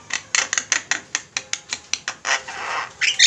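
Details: Busy flock of Javan mynas for a bird-training master: evenly spaced, rough squawks about four per second, ending in a long hissing rasp and a bright, squealing burst.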